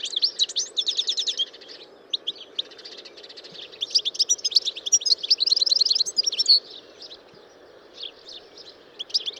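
European goldfinch singing a rapid, liquid, tinkling run of high twittering notes in quick bursts, with a soft low background hum.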